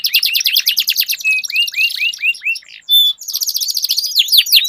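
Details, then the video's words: Canaries singing in a duel: fast rolling trill, a run of spaced rising-falling whistles, a brief pause, then dense buzzy rolls and sweeping notes. "Duel Burung Kenari Suara Merdu Ngerol Panjang || Pancingan Ampuh Kenari Macet Langsung Gacor Ngerol"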